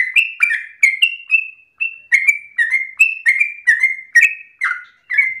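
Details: Yellow-vented bulbul singing a rapid, insistent phrase meant as an easy pattern for young birds to learn; clear whistled notes repeated quickly, with two brief silent gaps splitting the run into short bursts.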